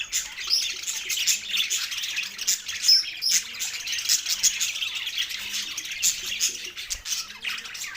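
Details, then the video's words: Male budgies, a pair of pets, keep up a rapid chirping warble, fast uneven squeaky pulses packed tightly together at high pitch. "cute pet 2 Male Budgies parrot chirping sounds"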